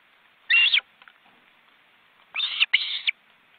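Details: At an Estonian reserve's webcam nest, where two ospreys and their nearly grown chicks crowd together, one strained, high whistled call sounds, then after a gap two more in quick succession.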